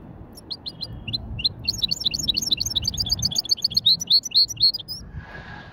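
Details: Hybrid European goldfinch in a light warm-up at a bird market, delivering a fast chain of sharp, high, twittering notes that quickens and strengthens, ending abruptly followed by a brief lower noise.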